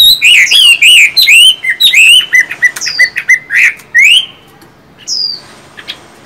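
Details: Chinese hwamei in captivity, of a song-style and fight-style pair under one roof. Fast whistled warbling with swooping notes and quick stutters, fading into near silence with one drawn-out falling whistle near the end.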